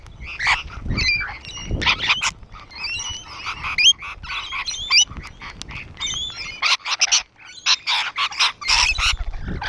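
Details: Several rainbow lorikeets sitting on a wall keep up a noisy mix of screechy bursts and wavering squeaky whistles, the calls coming in fast irregular volleys.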